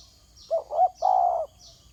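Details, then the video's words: Spotted dove on the ground giving a single phrase of two quick, wavering coos followed by one longer, steady coo. Faint high buzzy notes repeat in the background. "Terkukur kg bunyi atas tanah"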